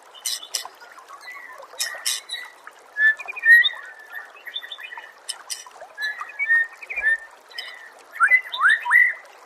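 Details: Training recording of Oriental magpie-robin song for songbirds: spaced clear whistled notes and short trills, with sharp high clicks between phrases and a burst of quick, upward-sweeping notes near the end.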